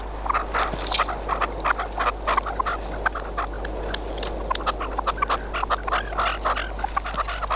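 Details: Decoy red-legged partridge used for hunting in Spain, calling continuously with short harsh notes and chattering bursts, dense and irregular, over a steady low background hum.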